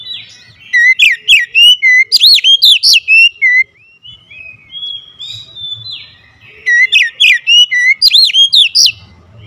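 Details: Kacer, the oriental magpie-robin, singing fiercely and agitatedly: bursts of loud, quickly repeated whistled notes with sweeping upward and downward slurs, a softer pause of thin whistles, then another vigorous burst.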